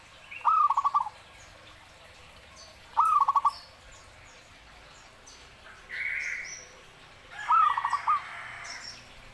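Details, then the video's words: Zebra dove singing freely, repeating its phrase three times over about nine seconds. Each phrase is a rising coo followed by rapid trilled notes. Another bird gives a brief, higher note between phrases against faint background hiss. "istimewa gacornya burung Perkutut ini"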